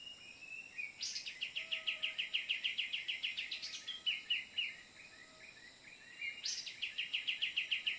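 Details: Cream-vented bulbul calls in the Borneo forest, heard while luring birds: three bursts of rapid, bright chattering notes repeated about three times a second, each burst opening with a sharp high note, over a faint insect hum.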